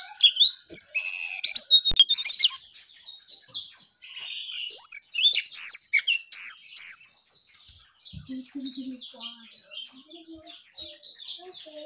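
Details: Brown songlark in lively morning song, very early: fast, jumbled run of high chirps and squeaky, buzzy notes tumbling over each other without pause, with a faint low murmur near the end.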